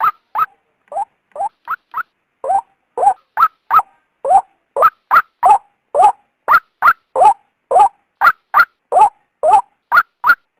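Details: {'caption': 'Luring call of a female white-breasted waterhen, aimed at bringing a male from its habitat. A long, accelerating series of nasal, croaking notes alternates low and high, reaching about three per second. No other noise.'}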